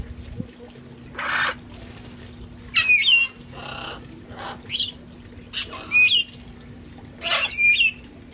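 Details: Parrots from a sanctuary flock enjoying time outside before the cold set in: loud scratchy squawks with bending harmonics, roughly one every second, mixed with softer rushing noises and a constant low background hum.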